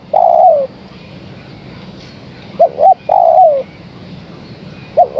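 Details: Repeated calling of a female spotted dove summoning a male. A long, descending coo is followed after a gap by a pair of short notes and another long, falling coo, with the pattern restarting at the end. Faint background hum.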